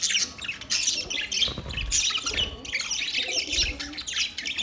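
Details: Several budgerigars chirp and squawk together, an overlapping scratchy warble with a few low thumps beneath.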